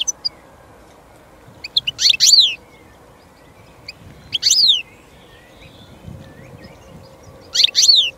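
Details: European goldfinch (Carduelis carduelis), a partly migratory finch threatened in France: three brief, high, descending twittery phrases spaced roughly every two to three seconds over a steady low background hiss.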